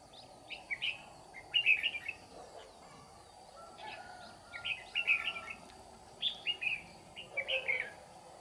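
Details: Red-whiskered bulbul used as a trapping decoy, singing ché-style to draw wild rivals in: three clusters of short, bright, warbling phrases separated by brief pauses, set against steady background hiss.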